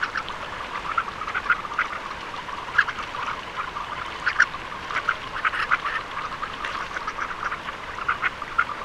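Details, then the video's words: Surf scoters giving short, hoarse croaking notes that overlap irregularly, as from several birds together, over a steady hiss of wind or water. "SOUND OF A SURF SCOTER"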